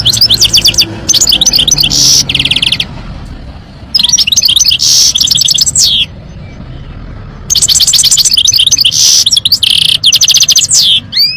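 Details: European goldfinch singing: loud bursts of rapid, tinkling twitters and buzzy trills high in pitch, delivered in phrases of one to three seconds with short silent gaps, over a faint low rumble.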